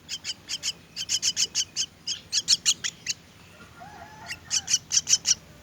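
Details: Hungry myna chicks at feeding time keep up rapid, scratchy begging notes in long series of about two per second, pausing briefly before a louder final burst; a faint lower whistle sounds in the gap.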